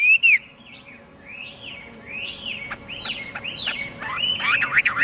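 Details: Chinese hwamei singing: a loud opening whistle, then softer, looping slurred phrases that grow busier into a quick run of rising and falling notes at the end, over a steady low hum.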